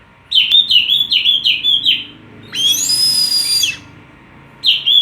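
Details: Oriental magpie-robin (kacer) call used to stir other birds into singing: a run of five short repeated downslurred whistles, then a loud buzzy harsh note, then another whistle.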